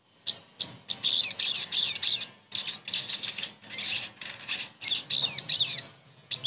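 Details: Sogon song used as therapy to get a bird that has gone silent singing again: dense bursts of harsh, high chattering notes with sharp rising and falling sweeps, broken by short pauses.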